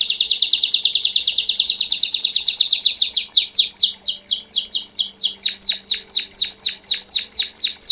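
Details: Pure 'campainha' song from a master Belgian canary. A fast, buzzy high trill gradually slows and breaks into distinct downward-sweeping notes, about three to four each second.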